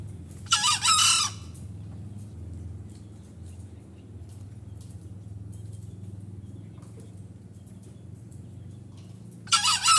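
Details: Two separate crows from a Green junglefowl, each a short harsh burst, one near the start and one near the end, with a quiet gap of about nine seconds between them.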